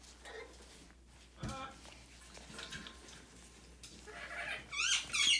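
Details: A six-month-old baby red-fronted macaw (Ara rubrogenys) wanting pets and scratches for itchy new feathers gives soft, scattered grumbling notes, then a short burst of harsh, wavering squawks, over faint rustling.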